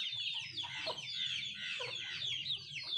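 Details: Country chickens (nattu kozhi) at feeding time: a dense, continuous chatter of thin, high, down-slurred peeps, with a single short cluck near the middle and a low background hum.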